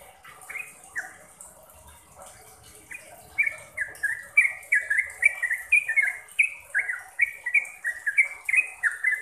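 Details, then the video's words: Caged-bird training song of the sooty-headed bulbul, or trucuk: soft sparse whistles at first, then from about three seconds a loud, regular string of short falling whistled notes, roughly three per second. "BANYAK Trucuk yang jadi GACOR dan ROPEL berkat suara TRUCUKAN ini"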